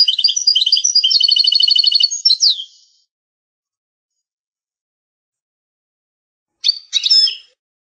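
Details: European goldfinch song from a rare old tape of the original song: nearly three seconds of fast, rattling twitters and rolled trills that end in a sweeping note, then quiet, then two short, sharp calls.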